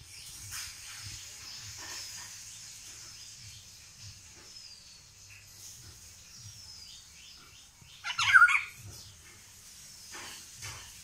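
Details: Singing Indian golden oriole (Haladi Basant): a brief, loud liquid fluty phrase arrives late, over steady high hiss like insects and faint bird whistles, with low rumbling underneath.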